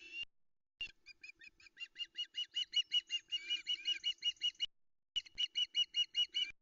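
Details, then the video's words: At the Loch Arkaig osprey nest in soft misty light around 05:22 on 13 August 2020, as the female waits for a fish delivery, an osprey gives rapid, high, piercing whistled chirps, about three per second, in two bursts. "Early breakfast is delivered to the Loch Arkaig Osprey nest"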